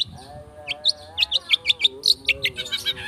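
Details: Long-tailed shrike in fast, dense speed rapet style song used as a lure to provoke singing: rapid run of short sharp chirps and upswept notes, high and bright, over a steady low humming tone with harmonics.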